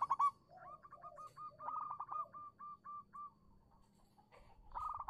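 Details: Local zebra dove singing as a lure for doves that have stopped calling: a rapid chain of short clipped notes with lower cooing phrases underneath, ending in a louder burst, faint steady hum in the background.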